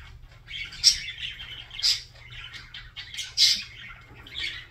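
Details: Budgerigar warbling in bursts: a rolling chatter of buzzy chirps punctuated by four louder, sharp squeaky notes roughly a second apart, with a faint low hum beneath.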